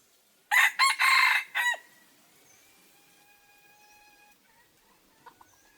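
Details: Decoy red junglefowl luring wild birds gives a loud, ragged crow in four quick bursts. Long, thin, steady whistled notes from another bird follow, with a few faint chirps later.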